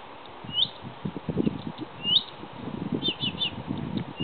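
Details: Blyth's reed warbler in song at Hedhult near Kristinehamn, Värmland, Sweden, dated 130625: high slurred notes and a fast triple chirp, phrases spaced irregularly, with low rumbling wind or handling noise underneath.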